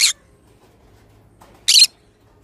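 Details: Green-cheeked conure, pineapple colour form, a pet bird: two short harsh broadband squawks, the first at the start and the second about 1.7 seconds later, quiet between.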